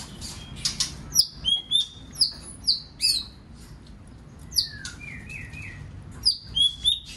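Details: White-rumped shama song used to provoke and train other shamas into singing many phrases: clear high whistles, sharp down-slurred notes and a trilled series near the middle, phrases separated by short pauses.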